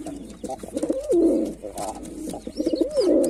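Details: Male white pigeon performing, giving low rolling coos with a stuttered start and a swooping rising-falling note, two phrases about two seconds apart, in a small indoor space with faint higher chirps behind.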